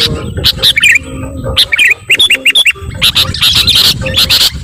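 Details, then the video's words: Sooty-headed bulbul giving noisy calls that get other birds agitated: short, lilting chirps in quick series, then a busier jumble of squeaky notes, with sharp clicks and low background noise. "SUARA KUTILANG RIBUT..bikin burung lain emosii"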